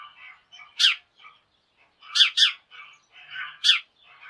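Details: Morning flock of sparrows calling and hopping about: loud sharp chirps, one a quick double, over a steady background of softer chattering from many birds.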